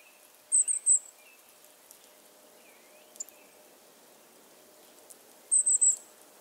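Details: Golden-crowned Kinglet in spring, Central/Eastern US backyard: two bursts of three very high, thin see-see-see notes, five seconds apart, with faint lower chirps from other birds behind.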